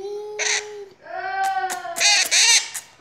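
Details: Pet parrot talking: a few clear, tonal, voice-like syllables with steady and slightly wavering pitch, ending in a burst of brighter, harsher notes.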